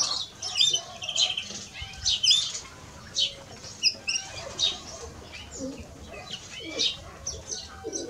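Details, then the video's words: European greenfinch pair, male and female, giving scratchy chirps and short twittering bursts in irregular clusters, some notes quick and rising, against a quiet background. "Male and Female of Greenfinch - Cantec de Florinte"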